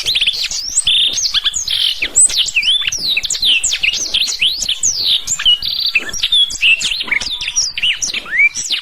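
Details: Continuous energetic black-throated canary song for canary training, packed with quick high chirps, swooping whistles and buzzy phrases, nearly nine seconds without pause.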